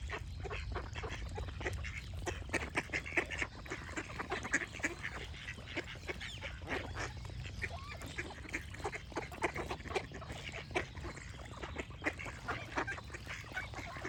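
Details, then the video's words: A long stretch of crowded duck calling: rough, nasal quacks repeating rapidly from many birds, joined by thin chirps from other birds. "Duck Quack Sound Effect with Birds Chirping for Relaxation"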